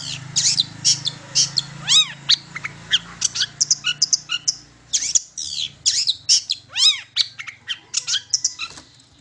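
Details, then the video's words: Long-tailed shrike lure song meant to prompt other shrikes to sing: a dense run of sharp, rapid chirps and downward-sweeping whistled notes, varied and high-pitched, with a low steady hum underneath. "Pancingan Cendet Terbaru 2020 Gacor Dor Bakal Nyaut"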